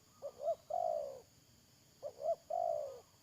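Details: Spotted dove used as a decoy in bird trapping repeats its call twice, each a pair of short hooked notes and a long throaty, trilling coo, about every two seconds.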